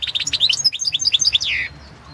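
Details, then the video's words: European goldfinch at a goldfinch song world championship, singing a fast continuous phrase of sweet chirps and slurred high notes ending in a descending buzzy trill. "Pesma štiglića 008/ 2016 Aleksandar Denčić World championship in Goldfinch Song 2016"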